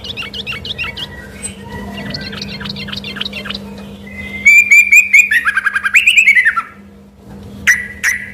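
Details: Yellow-vented bulbul in full, lively song, which residents first took for a white-rumped shama. It gives quick high chirps, then a run of loud rising whistles and a slurred, descending whistled phrase. A low steady hum runs underneath.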